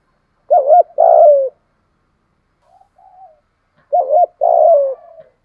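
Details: Spotted dove phrases used to call wild rivals in to fight, 'giọng thổ' voice: a double-looped coo then a long sliding coo, a quiet murmur, and the same two-part phrase repeated about three seconds later.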